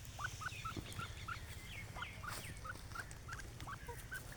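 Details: A pair of grey francolins in grass giving a quick run of short, sharp clipped notes, about three a second, with fainter rising notes higher up, over a steady low rumble of background noise.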